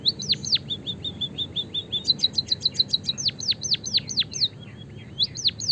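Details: White-headed munia chirping as a lure for kept birds to sing: a string of high, even twitter notes, then sharp chirps that swoop down in pitch, roughly one and a half per second.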